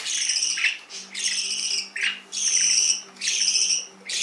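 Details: Canary giving bright, high-pitched buzzy notes in short bursts of about half a second, separated by brief gaps, with a faint low hum underneath.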